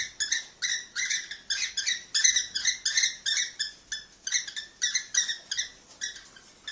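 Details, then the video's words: Cockatiel mating calls meant to stimulate pairs to breed: rough, buzzy notes repeated about three times a second in an uneven but steady series, with no other clear sounds. "تحفيز طيور الكوكتيل على التزاوج - تزاوج طائر الكوكتيل - أقوى صوت تحفيز"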